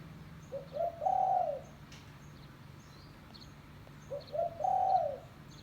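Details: Spotted dove calling to lure others: two repeated phrases, each quick low coos rising into a long, steady hooting note, with faint high chirps of small birds and a low hum.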